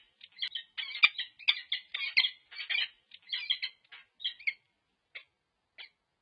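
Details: Peregrine falcons pair-bonding at UC Berkeley in late November 2023 while watching for interlopers: a burst of rapid harsh squawking chips that slows and fades into a few isolated notes.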